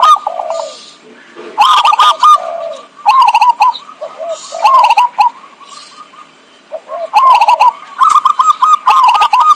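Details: Zebra dove song used as a trapping lure: bursts of rapid staccato stuttering notes running into rolling, warbled coos, several phrases repeated across the clip with short quieter gaps between them.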